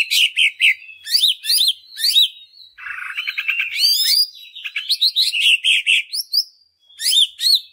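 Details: Greater green leafbird song used as a lure to get other leafbirds singing; continuous lively medley of slurred whistles, sharp chirps, upward sweeps and a short harsh buzzy passage in the middle.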